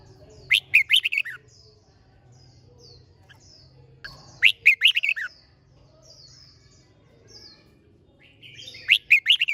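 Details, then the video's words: Red-whiskered bulbul in fiery contest-style song. Short, loud, lilting phrases of rapid chirped notes return about every four seconds. Soft, thin whistles fill the gaps above a steady low hum. "Chào Mào Hót - Kích Chim Hót Xung | Kích lên lửa mỗi ngày, thúc bổi siêng hót"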